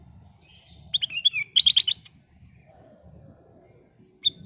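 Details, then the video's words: Sooty-headed bulbul (kutilang emas), vigorous singing for luring birds: a run of rapid, liquid warbled whistles lasting about a second, then a low murmuring background and one brief whistle at the end. "Kicau Burung Kutilang Emas Gacor full isian, Pancingan Kutilang Emas"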